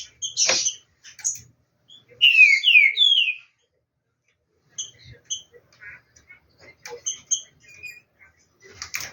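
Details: Caged green-winged saltator warming up its voice ahead of the coming competition season: a short phrase of three loud, slurred, descending whistles, followed by scattered faint chips and clicks.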